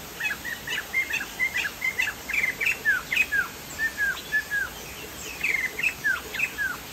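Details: Chinese hwamei delivering a long, steady sequence of short falling whistles, about three each second, some with added higher grace notes, over continuous hiss.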